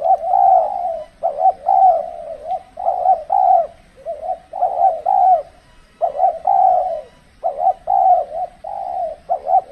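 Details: Decoy spotted dove during trapping in extreme cold weather; continuous series of mellow, hoarse coos grouped in repeated phrases about every one to two seconds.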